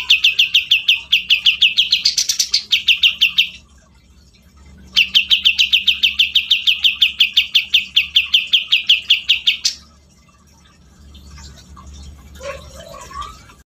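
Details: Grey-cheeked bulbul singing at length: two long, fast bursts of repeated bright chirps, the first rising briefly into higher notes, followed by quieter scattered twitters and soft low whistles.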